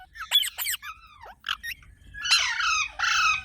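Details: Pet parrot uttering short scratchy calls and a dipping whistle, then two long, harsh, buzzy squawks.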